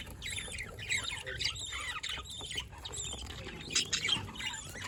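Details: Budgies on 27 October 2023 chatter in quick, rasping chirps and twittering phrases, bursts clustered and slightly slurred, with a low background rumble underneath.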